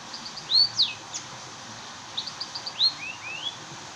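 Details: Munia (burung emprit) in active song, giving thin, high, sharply sliding whistles mixed with soft chirps, two bursts about two seconds apart, against constant low hiss.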